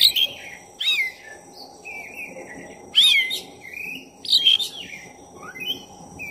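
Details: Black-breasted oriental magpie-robin singing vigorously as a lure to rouse another magpie-robin: rapid, varied phrases of rich rising-and-falling whistles mixed with harsh rasping bursts, nearly continuous, over faint steady hum.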